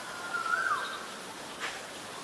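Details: White-vented myna in Ubon Ratchathani, Thailand, 9 March 2022, giving a single short whistle that holds steady, lifts slightly, then slurs downward, followed by a faint brief rustle against quiet hiss.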